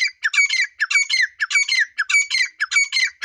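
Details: Female grey francolin of the Dakhni type repeats a grating, squawky phrase steadily, about every two-thirds of a second, with nothing else audible.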